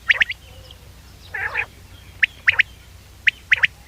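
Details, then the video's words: Common quail call played as a hunting lure: short, sharp, clipped notes in loose groups of two or three, recurring about once a second. One lower, harsher burst comes early, over a faint low hum. "common quail bird sounds"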